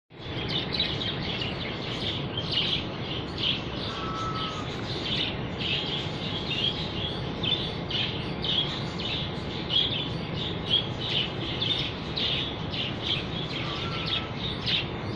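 Budgerigars chatter in a steady stream of high, scratchy chirps and warbles over a low background rumble.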